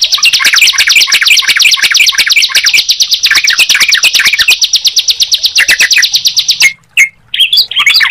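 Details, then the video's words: Two songbirds, bar-winged prinia and yellow-vented bulbul, singing at once: a very rapid high buzzing trill with wavy chirps, breaking near seven seconds into a few isolated notes. "Suara Ciblek Dan Trucukan Jika Dipertemukan"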